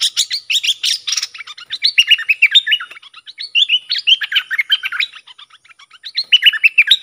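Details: Lure-singing bulbul, fired up against wild rivals, gives fast varied whistled and chattering phrases, loud at first, continuing in a busy unbroken flow.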